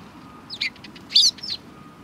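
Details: Sparrows recorded at a Tenmangu shrine, 31 March 2020: bright, high chirps in three quick bursts within two seconds, the middle burst loudest, over a quiet, low hum.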